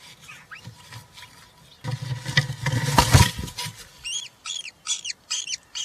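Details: European roller chicks, three at a live-camera nest on 20 June 2023, one fed a giant grasshopper; loud rumbling knocks and scuffling, then a quick series of high, doubled, arched squeaks repeating about twice per second.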